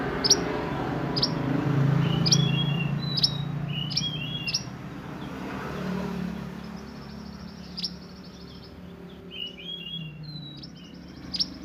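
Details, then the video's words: Sunbird singing the 'roll nembak' style: steady series of very high, sharp chips roughly every second with short chirpy twitters between, over low rumbling traffic-like background noise. "Burung mantenan gacor roll nembak untuk masteran"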